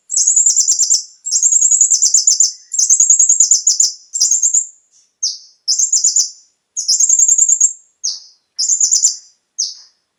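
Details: Konin song played as a lure to get captive birds singing: high, thin phrases of rapid buzzy trills broken by short pauses, about forty bursts a minute, with no other sounds.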